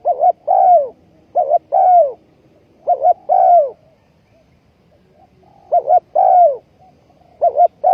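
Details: Spotted dove used as ground bait in a bird trap, recorded 20.04.2020: a run of two-part coos, a clipped wavering note and a full falling note, pausing for about two seconds mid-way before resuming.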